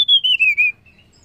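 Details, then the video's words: Calling female banded pitta meant to provoke males: a slurred, gently wavering whistle sliding downward through four linked pulses, then fading out. "SUARA TLEDEKAN BETINA UNTUK MERANGSANG BUNYI TLEDEKAN JANTAN"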